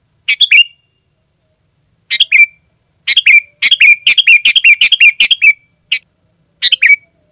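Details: Energetic sooty-headed bulbul song, used as a lure for wild bulbuls and as tutor song for kept birds: quick bubbly phrases, each ending in a short whistle, come sparse at first, then run into a rapid string of repeats.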